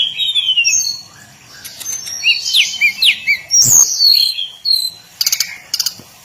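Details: Daily song of a hill blue flycatcher: descending sweet whistles, then a quick run of looping chirps and a long falling note, ending with short clicking bursts.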